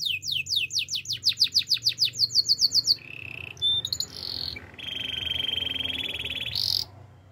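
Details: Singing Russian canary gives a fast series of sharp downslurred notes, then short low trills and a long steady rolling buzz, over a noticeable background hiss and hum.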